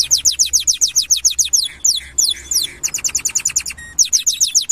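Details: Canary singing in 2025: fast series of sharp descending high notes repeated several times a second, broken by brief pauses and changes of phrase, with a faint low hum underneath.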